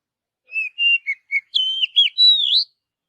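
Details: Oriental magpie-robin singing naturally in forest: a run of clear whistled notes, first short level and slurred phrases, then a longer rising and falling warbled sequence, with no other sounds.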